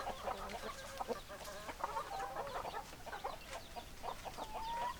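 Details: Chickens clucking in a flock, with low, drawn-out murmuring clucks and a longer, rising drawn note near the end over continuous chatter.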